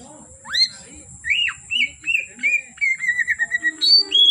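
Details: Oriental magpie-robin singing from afternoon to dark: a rising whistle, then harsher repeated notes quickening into a rapid stutter, about three per second, closing with high clear whistles over a faint low rumble.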